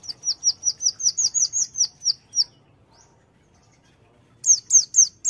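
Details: Gacor konin white-eye, a Sunda white-eye, giving tembakan song: a steady string of shrill, downslurred chirps, a quiet gap, then three sharp falling notes.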